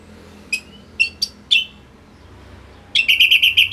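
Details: Orange-headed thrush from North Bali, a tutor song for other songbirds: four separate sharp whistled notes over a low background hum, then a fast run of repeated trilled notes.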